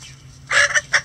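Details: Rooster crowing in a sunny backyard coop among a mixed flock of egg-laying breeds, bantams and barnyard mixes; a brief, loud, harmonic burst of hoarse crowing in two rising-falling pulses.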